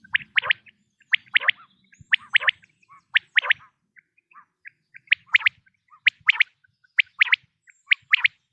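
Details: Common quail calling in autumn: sharp, liquid phrases of two or three quick, bright, clipped notes, repeated about once a second, with faint low rustling underneath.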